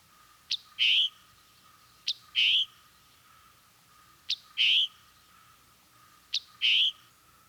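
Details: Scarlet Tanager giving its chick-burr call note, a sharp high chip followed by a lower, buzzy burr, four times about every two seconds over a faint steady hum.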